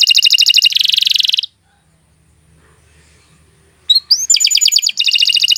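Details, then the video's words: Canary song: fast buzzy trills, a long silent gap, then rising notes and more rapid rolling trills. "Kicau Burung Kenari II GACOR PANJANG"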